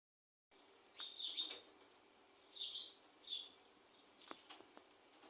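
Indian ringneck parakeet giving three short, harsh, high chattering bursts about a second apart, followed by a few faint clicks and knocks.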